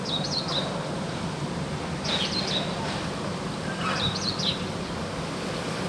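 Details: Actively singing wild crested myna gives three short, wavering whistled phrases, each a quick up-and-down warble, spaced about two seconds apart against constant low rumbling noise.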